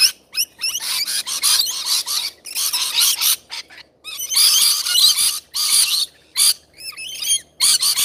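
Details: Wild rainbow lorikeets feeding: shrill, grating screeches and squeaky chatter from several birds, coming in short bursts separated by brief gaps.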